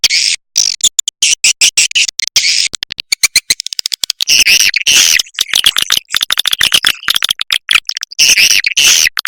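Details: Swiftlet lure call for dusk, playback meant to attract birds: dense bursts of rapid, sharp clicking chirps packed high in pitch, broken by brief silent gaps, repeating in clusters throughout, with no other sounds.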